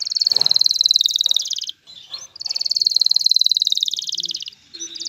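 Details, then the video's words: Male canary song to encourage a female to mate and build a nest, two long rapid high trills of evenly repeated notes, each about two seconds, separated by a short pause. "اقوى تغريد ذكر الكناري لتجهيز انثى الكناري للتزاوج و تحفّزها على بناء العش"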